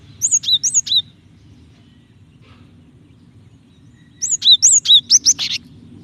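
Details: Calling female Java sparrow, a call meant to draw out the male's singing; three quick high chirps, a pause of about three seconds, then a faster run of six or seven sharp chirps ending in a harsh burst.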